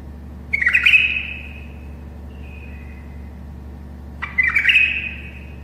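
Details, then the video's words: Song of a tame bulbul used to help other bulbuls learn to sing: a rich warbled phrase with a fading level tail, a soft faint note between, then a second similar phrase, all over a low constant hum. "تغريد بلبل أليف يساعد البلابل القافلة على التغريد."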